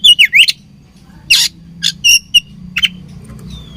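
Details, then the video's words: Oriental magpie-robin, described as fighting, giving quick twisting whistles followed by a harsh burst and a few clipped chirps, with a soft low background drone. "Beautiful Chirping Sound Of Fighting Birds"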